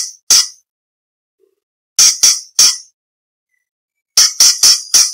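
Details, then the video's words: Varied-phrase song of an orange-bellied leafbird, meant as contest training material for shamas, green leafbirds and magpie-robins: short harsh, crackling bursts, one alone, then three together, then a tight run of four. "Cucak Cungkok Istimewa - Isian variasi Materi Lomba For Murai C.Ijo Kacer / Orange Bellied Leafbird"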